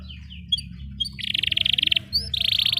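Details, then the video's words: Canary singing long rolled phrases, meant to coax silent canaries and teach youngsters: soft scattered whistled chirps, then a tight rapid trill, a rising whistle and another fast roll over a low background hum. "Kenari GACOR PANJANG Cocok utk Terapi Kenari Macet, Masteran Kenari Paud Belajar Bunyi"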